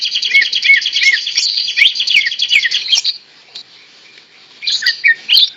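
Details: Greater green leafbird, a tame bird singing energetically while held in the hand: rapid run of twittering, warbling notes for three seconds, a brief pause, then more quick chirps and slurred whistles.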